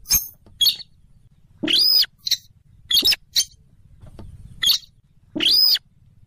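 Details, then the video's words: Rail known locally as sintaran sawah, weris or mandar dengkur, a Rallidae bird of swamps near rivers or lakes, played as a trapping lure: harsh, loud squealing bursts, two with a high arching whistled note, separated by short clicks. "suara pikat burung sintaran sawah / weris /mandar dengkur ampuh"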